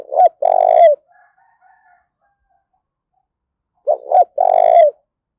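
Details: Spotted dove coo meant to stir up fighting. Two low three-part phrases are heard, each with short notes leading into a long vibrating purr. Faint soft notes come in between, then quiet before the second phrase.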